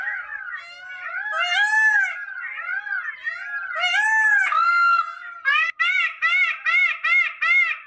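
Indian peafowl giving loud, nasal wailing cries that rise and fall, then a quick run of six or seven short, harsh honks about twice a second.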